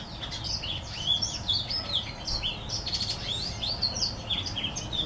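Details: Green singer white tip x Timbrado hen mule sings a continuous, lively run of high twittering notes, fast rising and falling slurs and chirps, with soft background hiss.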